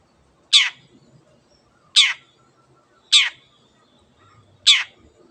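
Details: Long-tailed Shrike (cendet) uttering short loud scratchy rasps roughly every one and a half seconds, each sharp at the start and fading quickly; the sound is said to get other birds singing.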